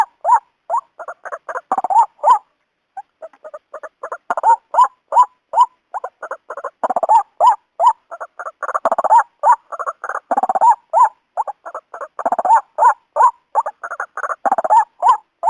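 A White-breasted Waterhen gives loud, hollow, clipped notes, about three per second, in rapid runs with brief pauses. No other sounds are heard.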